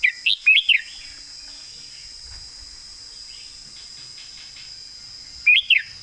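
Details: Red-whiskered bulbul master song for competition birds, with a lively three-note warble at the opening and another brief phrase about five seconds later, over a steady shrill drone.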